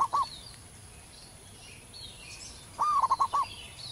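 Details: Zebra dove singing loudly in the wild, a song used for tutoring caged birds: the tail of one phrase, then a full phrase of a rising coo and four or five quick rhythmic notes. Faint high chirps of other birds.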